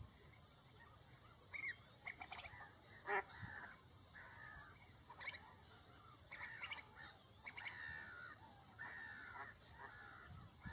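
Avocets give short, clear, fluty calls in irregular bursts, often one or two notes every second or so, over a faint steady background hum.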